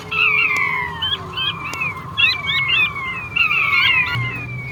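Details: Whistled descending notes from a male king quail, several overlapping and falling in pitch, with short hooked upslurs between them and a constant background hum.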